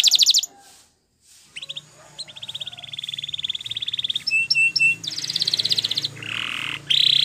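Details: Training song by a champion Spanish Timbrado canary: a brief trill, silence, then soft rolling trills, clipped repeated notes, a bright fast trill and a lower flowing roll.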